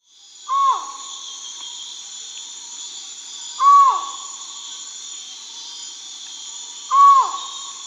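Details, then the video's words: Collared forest-falcon giving three loud, hollow, slightly downslurred single calls spaced about three seconds apart, with a steady high insect drone in the background. "Collared Forest-Falcon"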